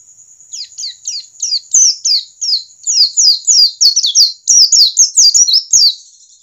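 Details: Wild-type white-eye song used to prompt other white-eyes to start singing: rapid high chattering phrases of short descending notes, about three per second, growing louder and denser after the first second, with faint clicks near the end.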